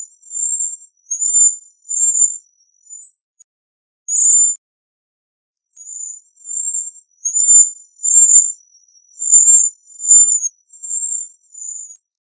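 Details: Cedar waxwing giving a loose series of thin, high, lisping notes, mostly short and slightly trilled, roughly one every second, with a brief pause early on.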